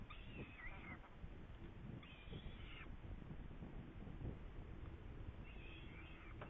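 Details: Saker falcon in Hungary, recorded 8 May 2019 near prey: harsh, slightly wavering calls around two to three seconds apart, each drawn-out and grating, over steady low wind rumble.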